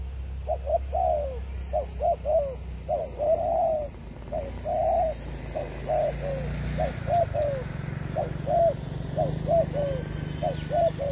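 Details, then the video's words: Forest doves in a trapping setting keep up a continuous run of short, mellow coos, often doubled or tripled, with a few longer drawn notes, over a low hum. "Good Trap Forest Doves"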